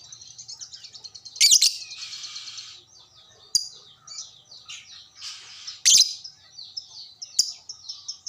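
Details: Lovebird kept by hobbyists, replying to another lovebird in a long chattering run; rapid high ticking notes broken by four loud harsh shrieks spaced a few seconds apart, with buzzy trills between.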